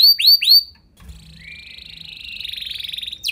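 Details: Canary song to encourage other canaries to sing: three sharp arched whistles, a short pause, then a quieter sustained trill that slowly builds in loudness and ends in a sudden burst.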